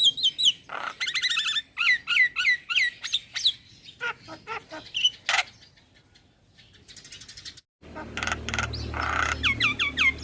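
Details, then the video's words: Young male black-winged myna song, for tutoring and calming stressed mynas: repeated downslurred whistled notes with harmonics, clicks, a quiet pause, then loud rasping phrases and falling whistles over low hum. "Jalak Kebo Jantan Muda Gacor PAs Buat Masteran dan terapi Burung Jalak Stres"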